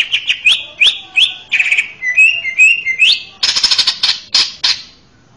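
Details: Male greater green leafbird, recorded as a master song for teaching young birds, pours out varied slurred whistles, rising and falling, followed by loud, harsh buzzy chirps.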